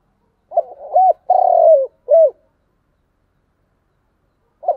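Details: Spotted dove's 'thúc gù' cooing, one phrase of a quick double coo, a long burry trill-like coo and a clipped falling note, followed by silence and the start of another phrase.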